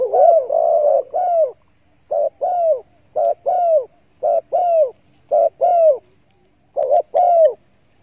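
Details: Cooing of spotted doves, played to draw doves in while hunting: about eight short, husky coo phrases in steady succession, each a rolling two-part note with a slight downward bend, little background.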